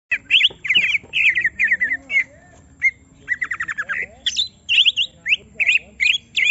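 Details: Greater green leafbird, a caged bird being provoked so it shows its full song, gives rapid runs of slurred, warbling whistled notes with quick rising and falling chirps, mixed with sharper high squeaks, in a lively varied phrase.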